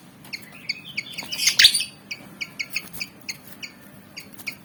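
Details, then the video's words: ['Malaysian pied fantail, a black-and-white bird keen to fight, giving quick, sharp chip notes in an uneven series, interrupted by a brief loud rasping burst.'] "Burung Kipasan Jawa Ngotot Liat Pengen Tarung"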